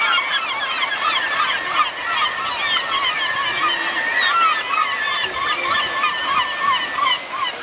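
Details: At Damariscotta Mills in Maine, gulls of a few kinds wait on rocky shores for alewives swimming up to a fish ladder to spawn; many birds give constant shrill mewing and laughing calls over a steady wash of water.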